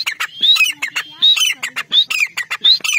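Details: Hunting decoy partridge calls loudly and continuously with harsh, grating squawks broken by clear rising whistles, the phrase repeated about every 0.7 seconds.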